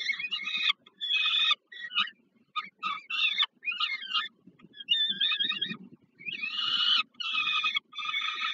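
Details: At a peregrine falcon nest in Warsaw's Żerań power plant, Poland, on 15 August 2022, food is delivered to a young bird. Dense, harsh calls alternate between broad rasping bursts and wavering, warbling notes, with soft low rustling beneath.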